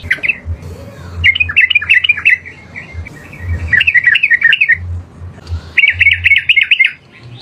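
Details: Loud wild yellow-vented bulbul: several quick gurgling, chattered phrases separated by brief gaps, the last one a fast even run of notes, over faint low background thumps.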